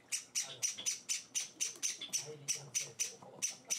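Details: Hand-fed Java sparrow nestlings begging at feeding time, their fourth day in the household: rapid harsh, raspy cheeps about four per second, evenly pulsed and insistent, with faint low speech in the background.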